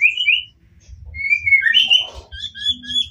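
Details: White-rumped shama singing to stir other shamas into reply; soft high thin whistles, some slurred downward, with faint fainter notes and low background rumble.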